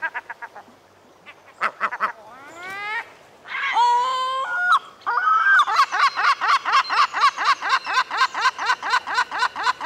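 A herring gull gives loud, harsh calls: a few rising wails, then a fast laughing series of clipped notes, about three a second.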